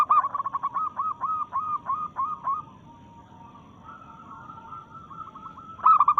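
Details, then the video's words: Local zebra dove in breeding mood challenging rivals: a long, steady series of about a dozen evenly spaced coos, a quiet gap with a soft drawn-out note, then a loud new burst. "Perkutut Lokal Gacor SUARA menantang lawan"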